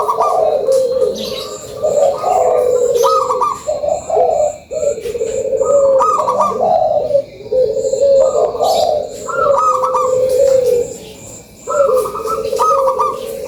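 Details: Local Indonesian zebra dove, a lure recording of a lively bird: rhythmic mellow cooing phrases with stepped notes jumping between low and higher pitch, repeated in runs, with faint high chirps from other birds behind.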